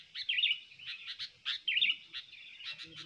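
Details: Sooty-headed bulbul used to lure wild birds and tutor others sings lively bubbly phrases, each opening with a warbled flourish followed by clipped chirps. The phrases repeat roughly every one and a half seconds over faint low background rumble.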